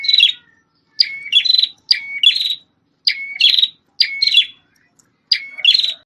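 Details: Prinia, known locally as prenjak tamu, described as red-headed, loud and highly vocal, kept as a song tutor for white-rumped shamas. Short, sharp, high chirping bursts with a brief whistled note, repeated about once a second in six phrases against a quiet background.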